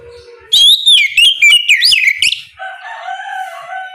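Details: Morning ngeplong song of an oriental magpie-robin, used to coax other magpie-robins into replying: a bright, fast string of rising and falling whistles, followed by a steadier, lower drawn-out tone.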